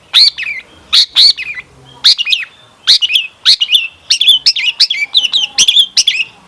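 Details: Long-tailed shrike in a lure recording with elaborate fill-in phrases. Sharp bright chirps come in pairs at first, then speed into a rapid run of twisting high notes.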